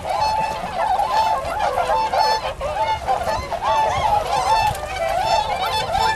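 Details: Massed tundra swans give nasal, trumpeting honks, repeated and overlapping without pause, some clearer bugled notes standing out over a busy, continuous background of flock calls.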